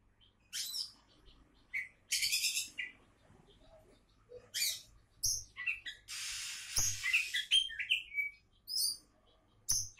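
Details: Oriental magpie-robin, named a future champion, singing dense rasping chatter and sweet whistled notes, with one long noisy burst midway and a soft background hum.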